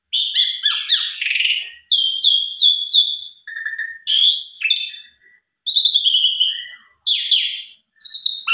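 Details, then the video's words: Asian pied starling stirred up by a rival's song, delivering stacked whistled notes, descending slurs and a fast chattering phrase, in phrases split by brief silences. "Buktikan Putar 1 Kali Jalak Suren Lawan Langsung Emosi Bongkar Isian Suara Panjang"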